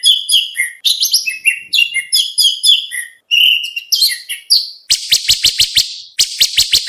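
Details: Oriental magpie-robin training song for contests: a fast run of varied clear whistled notes, high and jumping, then rapid buzzy rattling bursts repeated in quick series.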